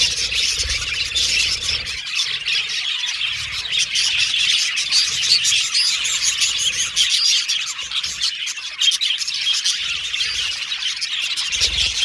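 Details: Several pet Australian budgerigars whistle and chatter at once, a busy unbroken warbling of high chirps and buzzy notes, slightly denser toward the end.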